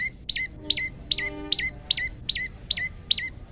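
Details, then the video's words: Male olive-backed tailorbird's long-shot variation, kept as a master track to coax young or silent tailorbirds into singing: eight crisp, high, hooked notes at a brisk even pace, with a soft low tone briefly underneath. "prenjak lumut gacor variasi tembakan panjang"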